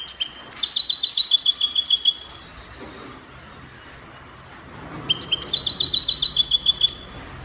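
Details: European goldfinch singing in copia style, Spanish song type, from Morocco: two bright trilled phrases of rapid repeated high notes around 3–6k, each lasting under two seconds, separated by quiet, with faint background noise.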